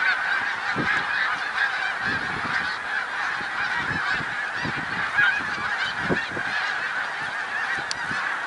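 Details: Pennsylvania's Middle Creek Wildlife Refuge, 1 March 2021: snow geese in a vast flock keep up a steady roar of high barking honks, with a few louder individual yelps standing out now and then.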